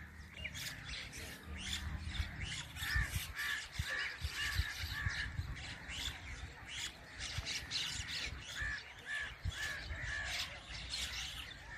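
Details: A flock of mynas flying at sunset: dense, overlapping harsh squawks and chattering notes, continuous with uneven bursts, over a low steady rumble of background noise.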